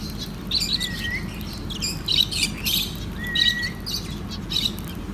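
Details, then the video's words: Lovebirds chirping while eating soft food: shrill high chirps in short clusters, mixed with two slurred rising whistles, over a steady low hum. "LOVE BIRDS MEAT TIME SOFT FOOD CHIRPING SOUNDS"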